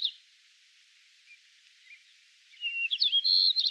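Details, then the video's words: A White-crowned Sparrow in Yellowstone National Park, one of two song types: a bright phrase of high whistles breaking into quick, buzzy trilled notes near the end, after a brief chirp and near-quiet. "Two Song Types from a White Crowned Sparrow"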